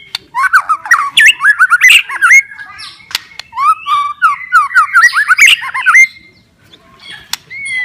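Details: White-rumped shama, a kept bird, in loud continuous song: rapid runs of varied whistled and slurred notes, rising and falling, with sharp clicks between phrases and a brief pause near the end.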